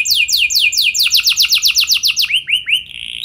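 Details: Canary lure song for prompting other canaries to sing: rapid, bright downward-slurred whistles repeated about four per second, becoming faster rolling notes, then a few rising, looped notes and a thin sustained high tone.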